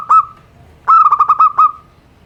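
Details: Zebra dove of a local type, simple-voiced, played to coax lazy birds into singing: one short coo, a pause, then a quick burst of about six staccato notes trailing into a drawn-out tone.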